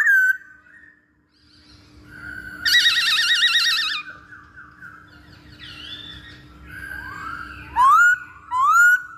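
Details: Masked laughingthrush for luring birds: a clear whistle, a long rapid wavering buzzy phrase, soft gliding notes, then two loud rising whistled sweeps near the end, with steady background hum.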